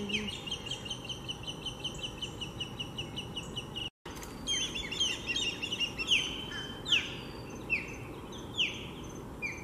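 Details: Ospreys guarding a nest of three chicks against an intruding osprey, Lake Seminole Park, Seminole, Florida: a steady run of short piping chirps, a brief gap, then louder sharply falling whistles spaced about a second apart.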